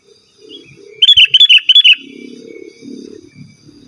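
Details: Sooty-headed bulbul song without mimicked fillers, for luring rivals and tutoring caged bulbuls: a rapid run of five or six chirpy, liquid whistles, then a low murmuring hum in the background.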